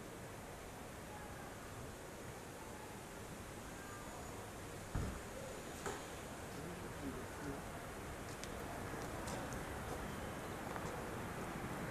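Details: Steady rushing background noise with a couple of dull thumps and faint ticks, but no clear animal voice.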